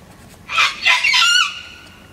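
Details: A cranky, unhappy Sulphur-crested Cockatoo, a regular wild visitor to a seed feeder, gives three loud harsh rasping screeches in quick succession, the last drawn out into a grating trailing note.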